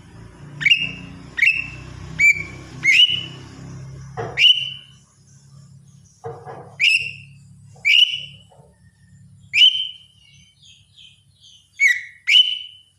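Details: Lesser green leafbird in morning song: short ringing whistled notes with a quick upward flick, repeated roughly once a second to every two seconds, with a low hum in the background early on.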